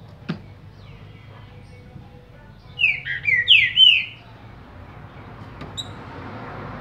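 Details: Green-winged saltator, a caged trinca-ferro singing Paraná liso while getting back into song after moulting: a single brisk phrase of four fluty, slurred whistles, with soft clicks before and after and steady low hum.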